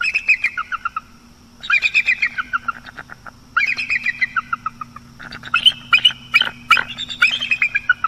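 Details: At night in October 2022, a bald eagle at a nest on the northeast Florida coast gives four bursts of rapid, high-pitched piping chatter. Each falls in pitch and lasts about a second, separated by short pauses, with a faint steady hum behind.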